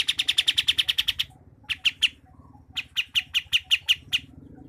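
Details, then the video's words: Sooty-headed bulbul of Sumatra, from Pangkalan Jambu, Merangin, Jambi, in a close-packed rolling song. A fast run of sharp high ticks is followed by slower, spaced clicks in two loose groups. "Kapas Tembak ngerol rapat"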